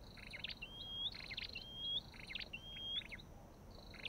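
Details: Olive-backed tailorbird giving repeated phrases: dense bright chirps leading into a level, thin whistle with a rising tail, roughly once per second.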